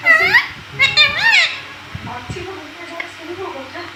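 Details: Parrot kept as a pet, talking mummy indoors: several rapid, high, wavering harmonic syllables in the first second and a half, then softer low chatter and quiet room sound.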